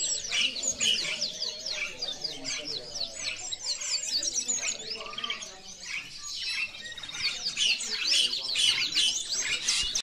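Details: Goldfinch song of bright, rapid twitters and tinkling trills in dense bursts, easing briefly in the middle before rising again to a lively, busy chatter.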